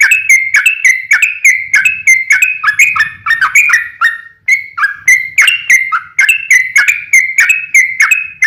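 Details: Sooty-headed bulbul singing a long, tireless lure song, used to draw other bulbuls into calling: fast, chattering strings of liquid whistled notes with slight pitch jumps and faint low background hum.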